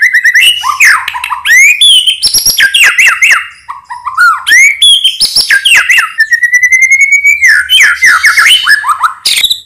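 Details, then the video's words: White-rumped shama singing in the morning, played to coax shamas that rarely sing or respond into singing: loud, rich, varied phrases of clear rising and falling whistles mixed with sharp chirps, rapid rattling notes and a long steady whistled note. "pancingan murai paling di cari para suhu kicau"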